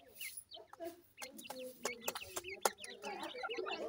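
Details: Grey francolin chicks feeding, giving scattered high peeps that grow busier toward the end. Loud pecking clicks and some low background noise accompany them.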